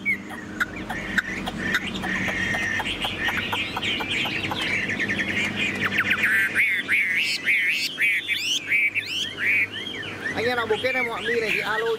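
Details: Caged, tame Chinese hwamei. A clattering, noisy stretch gives way to rapid, warbling whistled phrases, which become clearer and looping toward the end, over a constant low background hum.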